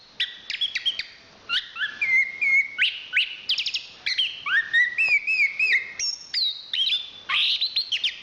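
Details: Varied song of a national champion Chestnut-capped thrush, a Southeast Asian forest songbird: quick chips mixed with clear whistled notes, some held and wavering, others sliding upward, roughly three phrases a second.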